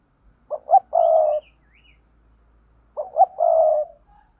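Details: Two loud phrases of spotted dove cooing from a paired call. Each phrase has two quick stuttered notes and a long, mellow, slightly falling coo, about two and a half seconds apart, over a faint low hum.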